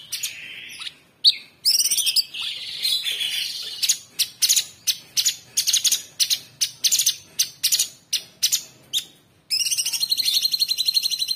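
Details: Orange-bellied Leafbird kept as a cage bird, in a tembakan training recording: a dense string of sharp, high, clipped chirps repeated about twice a second, leading into a rapid buzzy trill at the end.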